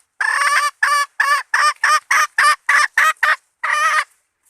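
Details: Hen bait call made of a fast string of about ten coarse, hoarse clucks, ending after a short pause with one longer harsh note.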